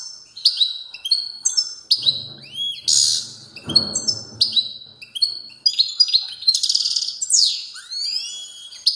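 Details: European goldfinch giving a strong song, a lively jumble of high twittered notes, buzzy bursts and curving slurred whistles, delivered almost without pause, with a brief low rumbling sound in the middle.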